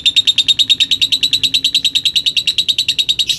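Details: Contest-winning lutino lovebird from Gresik, East Java, in a long 'ngekek' trill: about three clipped, buzzy chirps per second, repeated in a tight, even run without a break.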